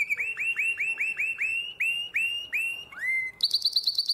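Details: Nightingale-voiced canary from Drama, recorded 2017, sings a series of about a dozen clear descending whistled notes. These are followed by a rising-falling swoop and then a quick bright high trill.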